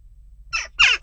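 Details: Western jackdaw at a nest box during unrest, two brief harsh squawking calls in quick succession, the second louder and longer, over a low hum.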